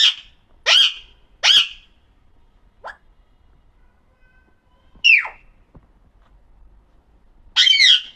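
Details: Pahadi parrot, an Alexandrine parakeet described as talking, gives a few loud, rasping squawks spaced apart, a faint short note, a downslurred squawk after a long pause, and a final harsh call.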